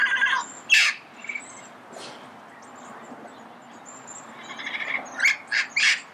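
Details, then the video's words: Red-crowned amazon calling early morning in Pasadena. A few rough, raspy squawks start and end the recording, with thin high whistles from other birds in between. "Red-crowned Amazon Bird Sound, Bird Song, Bird Call"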